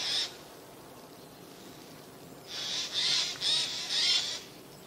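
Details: A single rasping jay screech, then a pause, then a rapid run of three or four grating bursts from Eurasian jays concealed among spruce branches in mid-September 2024.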